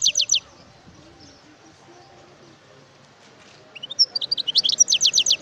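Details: Wild European goldfinch giving a short burst of rapid chirps, then a long quiet pause before a liquid twittering run of repeated high notes resumes.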